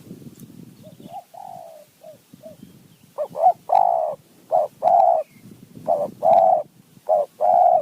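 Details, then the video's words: Wild spotted dove calling in answer to a decoy bird, a fine-voiced caller with a 4-3-2-1 and 1-2 phrase style: soft, scattered coos at first, then loud, deep cooing notes in short clustered groups over low rustling. "นกป่าคารม โยน 4 3 2 1 กุก เรียก 1 2 กุก"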